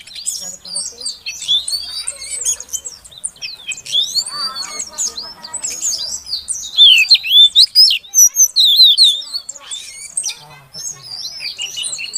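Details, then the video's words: Female oriental magpie-robin giving calls to prompt a silent male to sing: a dense, varied stream of high whistles, slurs and chatter, with a louder burst of clear repeated notes midway. "Suara Kacer Betina Untuk Pancingan Kacer Jantan Yang Macet Bunyi Agar Gacor"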